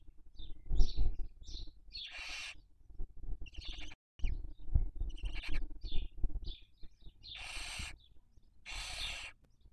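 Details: Barn owl recorded by a nest webcam in Cabañeros National Park, Toledo/Ciudad Real, Castilla-La Mancha, Spain, during the 2023 breeding season while raising young; harsh, broadband hissing screeches in long bursts, with softer rustling and low rumbling between them.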